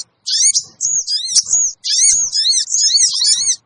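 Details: Small bird called sogon, played as a lure to draw wild sogon together: very high, thin chirps in rapid wavy runs, with two long bursts separated by a short gap and no other sounds.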